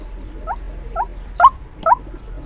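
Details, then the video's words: White-breasted waterhen calling as a trapping lure: four short, upward-sliding nasal notes about half a second apart, the later ones louder, against a background hum. "Tiếng chim quốc Mồi chuẩn dùng để bẫy"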